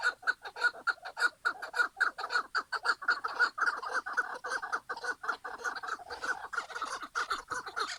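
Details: Chukar partridge calling: a fast run of sharp, clucking chuk notes, about two per second, that loosen into a looser, uneven series toward the end.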